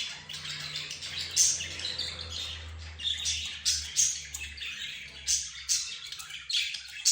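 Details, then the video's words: Caged budgerigars, zebra finches, roz birds and a canary produce scratchy chatter with sharp high squeaks bursting out about once a second over a low background hum. "حديث الطيور"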